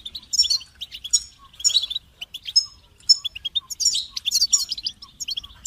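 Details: Goldfinch singing a sprightly, tinkling medley: quick chirp series punctuated by ringing, slightly buzzy notes, building to a denser flurry near the end.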